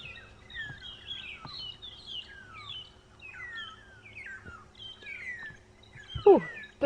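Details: Several Magpie Shrikes, very noisy on a sunrise safari drive on the morning of 21 September 2015, overlap in a busy chorus of clear, slurred whistles, many sliding downward, with a low hum and a sharp knock near the end.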